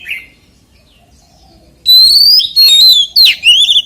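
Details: Oriental magpie-robin singing in a wild-style song, 'giọng rừng'. After nearly two seconds of near silence, loud clear whistled phrases start: a long rising whistle, then warbled notes and sharp downslurred whistles.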